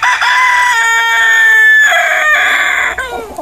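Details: Rooster crowing in the morning: a loud, harmonic cock-a-doodle-doo lasting about three seconds, with a steady middle section followed by a brighter, higher closing phrase that falls away at the end.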